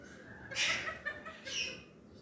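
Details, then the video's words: Green parakeets in a chatty mood give two bright, harsh, harmonic squawks about a second apart, the first at half a second and the second near one and a half seconds, with softer chirps between them over a low background hum. "Green parakeets are in Speaking 🔊 Mood"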